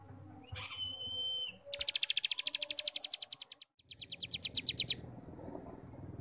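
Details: Cigun starling ngebrem song used to train young birds: a short level whistle leads into a long rapid series of rattling high pulses, then a second burst.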